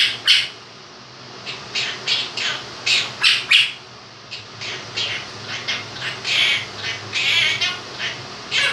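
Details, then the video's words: Pet two-year-old male monk parakeet (Quaker parrot) sings his version of 'If You're Happy and You Know It' in harsh, squawky bursts, with a fan running in the background to encourage him to talk. "Quaker Parrot sings 'Happy And You Know It'"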